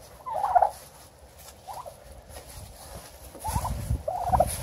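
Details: Turkeys eating in a homestead barn in Michigan give four short, mid-pitched gobbling clucks spaced about a second apart, over a low rumble and soft barn noise.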